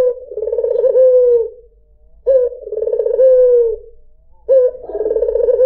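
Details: White dove (puter putih) coo used as a lure for other birds: three long rolling, purring coos, each starting with a sharp onset and trailing off over about a second and a half, separated by short pauses.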